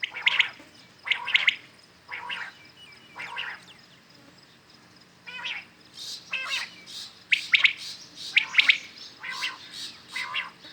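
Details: Morning calls of common quails. Clipped triple-note phrases come at uneven intervals, some loud and close, others fainter. The volume picks up toward the end over a steady quiet background.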